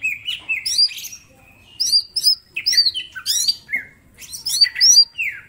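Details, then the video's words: Small green leafbird singing a full, lively training song: quick whistled upsweeps and downslurred notes, scratchy bursts and rich varied phrases in short clusters separated by brief pauses. "Cucak ijo mini gacor full tembakan bongkar materi"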